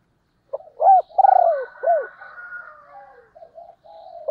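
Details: Decoy female spotted dove calling to stir wild birds quickly. A single phrase of clear, low, arched coos runs into a long, softer, fading tail of quieter notes against a silent background.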